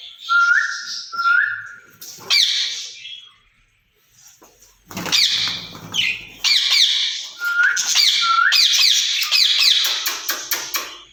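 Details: Caged ringneck parrot pair talking to each other, in Urdu or Hindi. Paired rising whistles open, followed by a pause, then dense harsh screeching notes and two more rising whistles.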